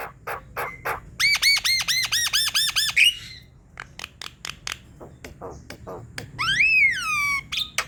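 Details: Vigorous Javan myna song used as a lure for reluctant singers: clicks, then about ten loud harsh arched notes in quick succession, more dry clicks, and a long descending squealing whistle.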